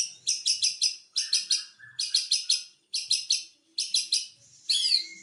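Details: White-rumped shama song used as a lure to trigger singing: bursts of rapid buzzy high chattering notes repeated in short groups, with a faint lower whistled phrase and a final rising whistle.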